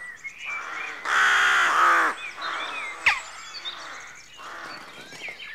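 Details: A loud, drawn-out, grating caw from a rook stands out at a dawn rookery, followed by quieter rasping calls from other rooks, a sharp click, and faint chirping of small birds.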